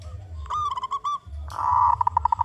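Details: Local zebra dove, loud and actively singing, used as a lure for other zebra doves: a pulsed cooing phrase, then a longer rolling coo breaking into quick even beats, over a steady low hum.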